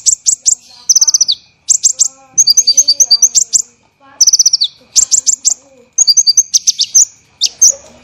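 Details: Olive-backed sunbird training song for cage birds, delivered dense and rough: rapid high-pitched trills and buzzy chattering bursts alternating with short gaps, repeated phrase groups throughout.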